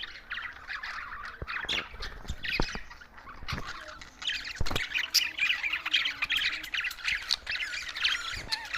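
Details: Budgerigars kept as pets in Larkana, Sindh, chirping in a dense, continuous chatter of bright warbles and squeaks, with scattered sharp clicks and taps throughout.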